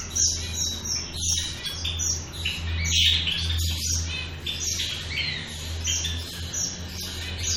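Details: Shaft-tailed finches twittering and chirping, irregular short high notes over a prominent steady low electrical-sounding hum throughout.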